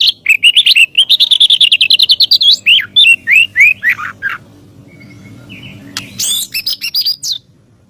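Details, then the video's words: Master song of a White-rumped shama for training birds: a long fast series of repeated clear notes lasting about four seconds, a short quiet spell, then a few more bright high notes. "SUARA BURUNG MURAIBATU || MASTER4N MURAIBATU"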